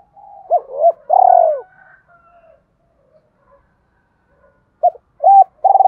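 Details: Spotted dove lure call, double coo for attracting wild doves: two short coos and a long drawn descending note over faint murmuring, a quiet gap, then another phrase of short, mellow notes.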